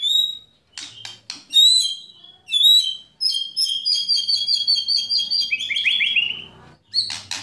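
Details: White-rumped shama performing 'kretekan' and 'tembakan' song to provoke rivals into singing: a pure whistle, chips, then a rapid string of repeated bright notes sliding into a falling rattle.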